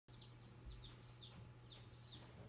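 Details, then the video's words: Chicks peeping at a post office: thin, high, downward-sliding peeps repeated about every half second, over a steady low mechanical hum. "Chicks peeping at post office"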